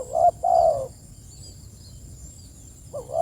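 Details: One low two-part coo from a spotted dove calling its companions. A brief wobbling note leads into a longer mellow tone, then a pause, and the next phrase begins at the end. A faint steady hiss sits in the background.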